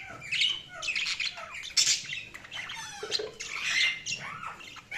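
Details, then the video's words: Budgies chirping continuously, warbled rising and falling whistles mixed with raspy squawks and rapid chatter. "Budgies Sounds| Budgies Chirping sound"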